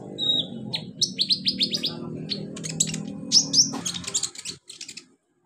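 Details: Olive-backed sunbird singing in the wild in its natural habitat: a high whistled note, then a fast series of sharp descending chirps, followed by buzzy trills and thin high notes, over a low background hum.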